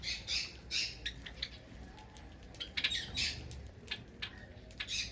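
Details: Finches in a busy chorus of short nasal squeaky calls, repeated irregularly, with faint rustling behind.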